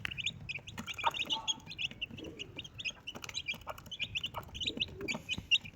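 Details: Four baby Desi chicks with their mother hen keep up rapid high-pitched peeping, with occasional soft low clucks from the hen in the background.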